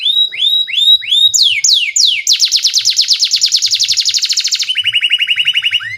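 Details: Canary lure song for training young canaries. Rising whistled notes give way to sharp falling sweeps, then a long rapid rolling trill. The trill drops to a lower, even, fast-repeated phrase.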